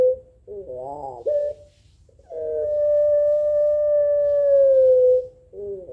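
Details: Rival-answering puter pelung Barbary dove: a wobbling burst of coo, then a steady drawn-out note of nearly three seconds, followed by another short wavering phrase.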